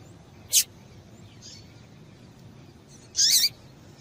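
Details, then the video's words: Female double-collared seedeater gives two brief, high, thin chip calls about two and a half seconds apart, with fainter notes between, against quiet background hiss; female calls used to get males singing. "Piado de Fêmea de Coleiro Quente para Esquentar Coleiro tui tui"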